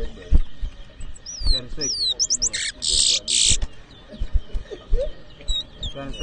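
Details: Towa towa whistling at a 2023 competition in New Amsterdam, Berbice, Guyana: a few high curved whistles, then loud harsh bursts of noise, and more sparse whistles later amid people talking.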